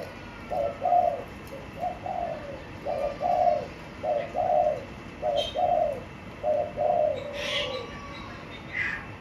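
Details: Caged spotted dove with a blue cage bottom repeats cooing phrases about every second, two-note and gently descending, followed by a few faint rustles and clicks.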